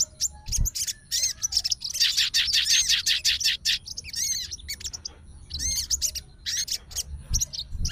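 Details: Fighter-type sooty-headed bulbul kept as a cage bird, answering the song of another and challenging an opponent. It sings a rapid run of bright chattering notes, then several looping whistled phrases separated by short gaps.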